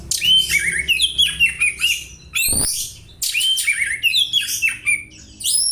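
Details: Sparrow-like chirping from an oriental magpie-robin copying house sparrow calls, suited to tutoring; clustered downslurred chirps and quick squeaky notes pour out in two long bursts separated by a brief rustle.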